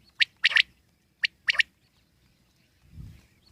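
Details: A wild common quail calls twice: two short phrases of crisp, high, liquid notes, one quick and one slightly drawn out. A brief low rumble follows in a quiet gap.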